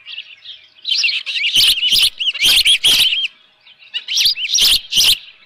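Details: Osprey with a live fish at a ranch nest on a June 2018 morning: two groups of loud, looping whistled chirps separated by a quiet second, each with sharp clattering knocks, possibly wing flaps.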